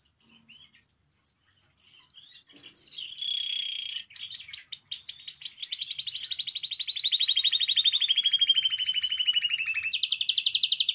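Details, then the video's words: Canary singing, offered to stimulate other canaries to sing: soft high chirps open into fast rolling trills, then a long, steady, pulsed trill gliding slowly downward, ending in a brighter, higher trill. "Canario Cantando. (Ideal para ESTIMULAR canto de canarios)"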